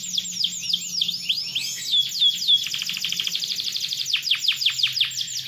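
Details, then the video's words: Atlantic canary singing a long, vigorous song: rapid trills of repeated notes, a few clear whistled slurs near the middle, then a run of fast descending sweeps repeated several times per second. "KENARI GACOR PANJANG KENARI MANAPUN PASTI NYAUT DENGAN BUNYI KENARI GACOR INI"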